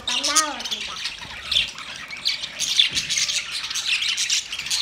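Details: High, scratchy warbling chatter of budgerigars during mating, continuous and layered, opening with a brief lower wavering voiced note before the steady chirping takes over.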